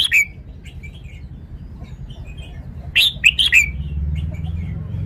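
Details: Red-whiskered bulbul singing: a brief slurred note, a pause with soft faint chirps, then a lively phrase of four quick, bright, warbled notes, with a low rumbling hum underneath.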